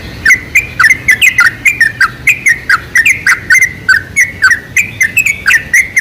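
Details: Used to lure bulbuls, this sooty-headed bulbul song runs as a dense, lively series of liquid whistled notes, quick and jaunty, following a short quiet start.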